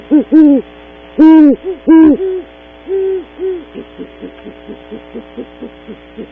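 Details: Two great horned owls at a cavity at dawn, Starr Ranch, California, recorded by a nest-site camera: several loud booming hoots give way to a run of quieter, short hoots repeated about once a second.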